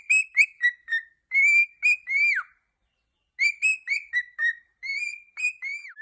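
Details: Pet male cockatiel singing along with its owner: clear whistled phrases of short level notes and downward slurs, grouped into two bursts separated by a second of silence.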